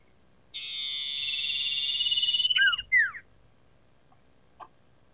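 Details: Sooty-headed bulbul, recorded to train and stimulate captive songbirds: one long raspy buzz that turns into a fast pulsing trill, then two quick down-slurred whistles and a faint click.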